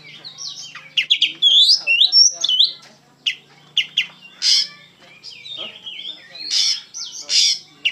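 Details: Oriental magpie-robin singing with great energy and feeling: varied whistles mixed with sharp, explosive chips and clicks, delivered in uneven bursts, over a low background hum.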